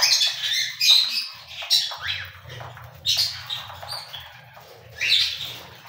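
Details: Harsh cockatiel squawks at irregular intervals, several with a quick upward slide, mixed with softer chatter and some low rumble.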